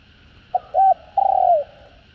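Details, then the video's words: Caged Spotted dove cooing: one brief clipped note, a rounded second note, then a drawn-out trembling coo that droops at the end, over a constant faint hum. "Tiếng Cu Gáy Giọng Hạp BổI ĐỦ BÀI [ GÁY GỌI,THÚC,GÙ ]"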